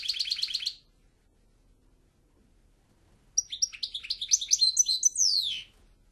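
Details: Goldfinch song: a short buzzy trill, about two seconds of quiet, then a quick, varied twittering run that ends in a long falling slur.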